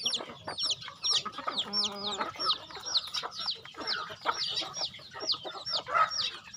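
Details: Flock of farm chickens while being fed, dense chorus of clucks and high slurred peeps, with one drawn-out harsh, nasal call near the middle.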